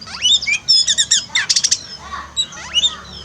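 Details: Oriental magpie-robin singing, offered as training for a pet bird quiet after moulting: quick rising whistles, a burst of rapid trilled notes and harsh chattering, then more upslurred whistles.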